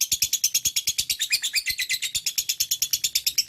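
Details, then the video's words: Lovebird chattering in a fast, steady run of high, sharp chirps, roughly six or seven per second, with a buzzy, scratchy quality throughout. "Love bird - auto nyaut"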